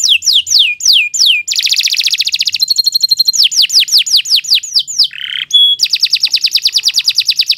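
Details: Canary in a long, lively song used to tutor other birds: looping downslurred whistles, a rapid buzzy trill, a steady pure tone, then a fast even rattle of repeated notes.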